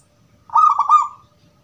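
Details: One rolling, bubbling coo phrase lasting under a second, clear and ringing, from a gedong mengo zebra dove in crystal-voice style, a song meant to lure answering doves.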